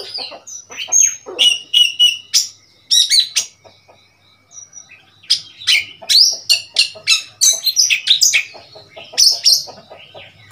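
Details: An Oriental magpie-robin, a wild bird that came to a cage in Thailand, recorded 15 February 2021. It sings a varied stream of whistles, sharp chips and rising notes with short pauses.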